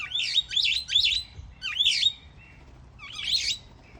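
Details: Grey-headed swamphen in aviculture, where parents keep feeding well-grown youngsters able to fend for themselves; loud, high chirping notes in quick bursts, three rapid calls, then two more after a pause, and a final one.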